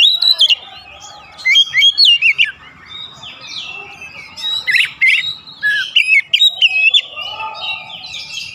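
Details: Oriental magpie-robin singing a fired-up 'pancingan' song: a dense stream of varied, loud whistled phrases, sharp upslurs and scratchy notes in quick bursts, with a lower, softer warbling voice and faint background hiss beneath.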